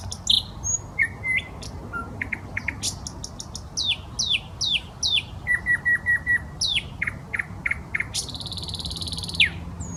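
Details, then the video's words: Nightingale singing in a Saint Petersburg park beside the Smolenka: a varied, loud sequence of sweeping downslurred whistles, repeated chips, clicking runs and a closing buzzy trill, against faint low traffic rumble. "Песня соловья"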